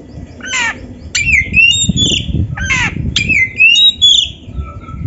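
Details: White-rumped shama, a master song for training other shamas to sing, in a mix of harsh rasping bursts and clear rising whistles, with sweeping notes roughly every second and low background rumble.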